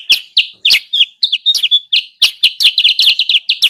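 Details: Sooty-headed bulbul calls used as a trapping lure. Short, sharp chirps, some with a downward flick, come in irregular quick clusters that speed up toward the end. Recording is clean, with no other sounds.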